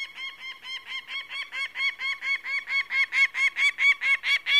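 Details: A falcon calling in a fast, steady run of raspy, repeated kek-like notes that grow gradually louder toward the end, with no other sounds.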